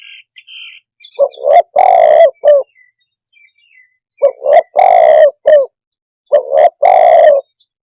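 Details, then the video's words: Spotted dove calling: three separate phrases, each of quick short coos building into a long, loud, low cooing note and ending with a brief clipped coo, spaced about three seconds apart, with faint higher chirps early on. "suab nquab quaj zoo tiếng chim cu đất"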